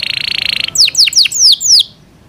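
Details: Caged Yorkshire canary singing: a bright trilled buzz, then five quick descending whistled sweeps in a loud high series.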